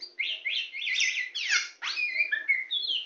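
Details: Champion, very tame kacer poci (Oriental magpie-robin) sings from a hand in an unbroken rapid phrase: repeated rising-falling whistled notes, a steep downward sweep, then sweet slurred whistles and a high squeak.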